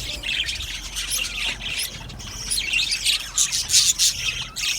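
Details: A colony of budgies kept in an aviary giving dense, overlapping high chirps and squawky chatter that swells in loudness toward the end.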